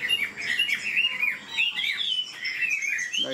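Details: An old, wild-caught Chinese hwamei, about 90% tamed, pours out a fast, unbroken run of rich whistled phrases with rapid beak delivery, slurring up and down in a bright high register with quick changes of note.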